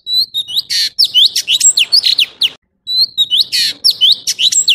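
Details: Orange-bellied leafbird song of clear rising and falling whistles interspersed with loud raspy buzzes, in two energetic phrases split by a short silence.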